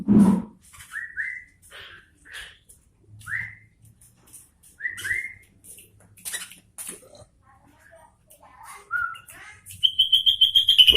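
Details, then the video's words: Sooty-headed bulbul in full song, short bright upswept whistles delivered one by one with irregular gaps, mixed with faint clicks, finishing in a fast, even run of high chattering notes. "Suara Burung Kutilang Gacor Garuda"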